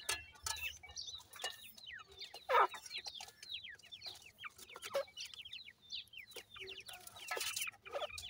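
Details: Feeding and playing grey francolin chicks keep up many thin, falling peeps that overlap at times, with one loud burst of noise near the start and a few clicks.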